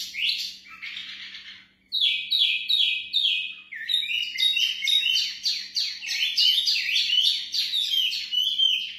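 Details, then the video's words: Mini wambi breeding pair, said to be very vocal: a raspy rattle, then rhythmic chirping notes in a steady series, building into a dense, jumbled chattering warble over a soft low hum. "Sepasang Burung Wambi Mini Gacor Siap Ternak"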